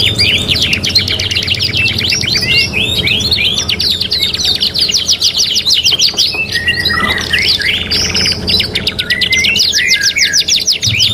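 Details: Energetic canary singing, three-in-one training recording: long series of fast clicking trills and looping slurred whistles, a brief lower warble midway, then renewed rapid rolls; steady faint hum beneath.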